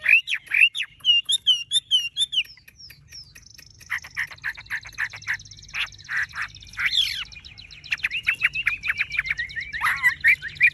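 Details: Caged Chinese hwamei with golden-yellow plumage: quick tumbling whistled notes at first, then long strings of rapid clipped chattering notes with occasional louder slurred whistles.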